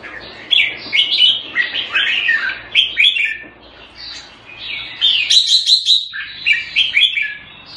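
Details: A caged red-whiskered bulbul in Singapore, kept in Thai style, sings vigorous jumbled whistled and warbled phrases. A high, rapid run of notes comes in the middle, and a short quiet gap breaks the song.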